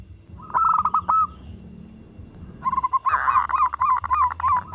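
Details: Local zebra dove in lively singing form, kept as a lure bird to prompt other doves to sing; two bursts of rapid, stuttering, hoarse cooing notes, first a short phrase, then a longer rolling series, over a low background hum.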